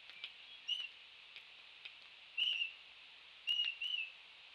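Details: Laysan albatross chicks in a nest turf war, one chick rushing in on another at a nest in a beak battle; short whistled chirps near one pitch, single and paired, scattered irregularly, with faint clicks and a steady background hiss.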